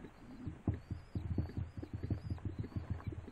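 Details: Low, throbbing coos of rock doves repeated in quick bursts, several birds overlapping, over a faint high-pitched wavering squeal.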